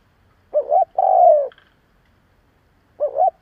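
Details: Decoy spotted dove calling hard to lure other doves: one full phrase of a wobbling double note and a long, softly falling coo, then the next phrase begins about two seconds later.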